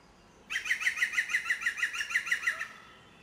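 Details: A European green woodpecker, hidden in a tree in a town valley in early December, gives its specific ringing, laughing call: about a dozen loud, even notes, roughly six per second, over two seconds against a quiet background.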